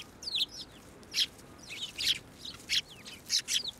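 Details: Sparrows (Eurasian tree sparrow) flying onto an outstretched hand for food at a Tenmangu shrine in December 2023; spaced, loud chirps, some with upward or downward slurs, every half second or so.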